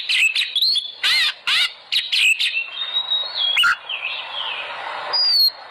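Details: Oriental magpie-robin song as a lure to get birds singing: harsh buzzy bursts, then a long level whistle, warbled phrases and a high thin downslurred whistle at the end.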